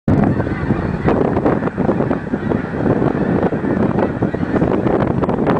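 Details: Flock of Canada geese in flight, many overlapping honking calls packed densely throughout, a continuous loud chorus with repeated short harsh notes and a rumbling low background.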